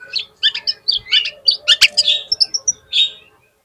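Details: Oriental magpie-robin song for prompting a rival to answer, a quick chattering series of short twittering notes, several per second, ending in a few high clear whistles.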